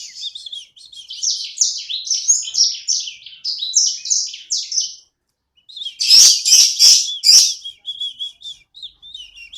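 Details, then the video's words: Lively pet sanger bird, a small one kept by its owner, pours out rapid high twittering phrases of bright, slurred notes. After a brief pause there are three loud clicks, then more chatter. "Burung sanger ku ( sikecil gacor )"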